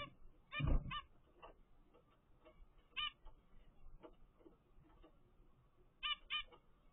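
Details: A 13-day-old zebra finch chick from a first clutch gives short, nasal, honking calls in small bursts, spaced a few seconds apart.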